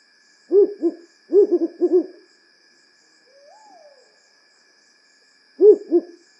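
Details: Repetitive hoots of African wood owl (Strix woodfordii), a night-active owl of forest and bush: quick clusters of mellow, low hoots, a brief faint rising-falling note in the pause, then another hoot series.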